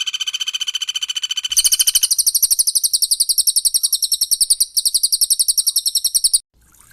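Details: Cililin and Pelatuk Bawang in 'tembakan rapat' training song for cage birds: a lower steady buzzy trill, then a fast stream of high, bright chip notes with one short break, ending in quiet.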